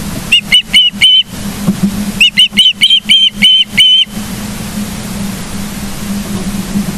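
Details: Osprey at a nest in Charlo, Montana, recorded on 9 July 2023 in the morning, giving two bursts of sharp whistled chirps, four then seven, each rising slightly, over a constant low hum and hiss.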